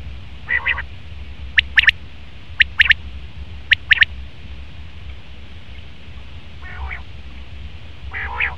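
A male common quail gives three sharp, liquid three-note phrases, 'wet-my-lips', about a second apart. Softer, nasal buzzy notes come before and after.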